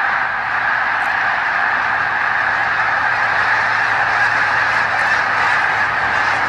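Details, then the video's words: Thousands of snow geese filling the sky over the St-François River at Drummondville, Quebec, near the Hemming Falls dam, in November 2012, filmed on a Canon PowerShot SX40 HS: a dense, unbroken din of overlapping honks from the flock. "Des Milliers d'Oies blanche envahissent le ciel"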